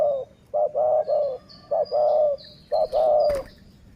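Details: Close, insistent cooing from a dove in a decoy-luring session. Repeated short-then-long coo notes come in quick series. High chirps of other birds sound behind, and there is a brief knock near the end.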